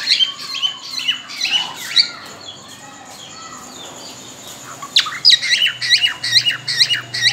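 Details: A cockatiel preparing to breed gives a series of sharp chirps, falls quiet for a few seconds, then bursts into a brisk, evenly repeated string of shrill notes. A low hum sits in the background.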